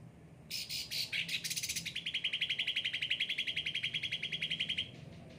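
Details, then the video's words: Well-kept caged cucak ranting opens with a few harsh buzzy notes, then runs a long, steady rapid trill of about three seconds before stopping. "gacor cucak ranting"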